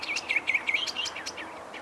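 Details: Greyish saltator in Esperanza, Santa Fe, Argentina, which usually goes in pairs, sings from plant tops and often duets: a run of short whistled notes repeated about every fifth of a second, with light rural background noise.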